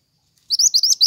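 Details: Pied triller in full song, meant as lure and training audio for songbirds: rapid, sharp, rising whistled notes tumbling one after another, the phrase cut off while still going.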